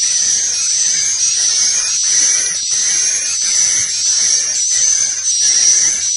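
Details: Swiftlet roosting lure call in the 'inap plus' style: a dense, unbroken high buzzy chatter with a thin whistled tone, pulsing slightly about once a second.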